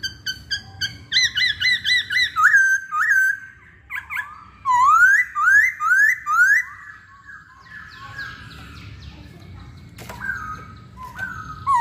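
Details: Singing Hwamei delivering a series of clipped repeated notes, then several strong rising slurred whistles one after another, fading into quieter scattered phrases.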